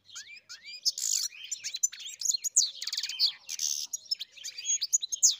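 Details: Singing European goldfinch on a farm: dense twittering with buzzy nasal bursts, metallic rattles and thin piercing whistles, nearly continuous.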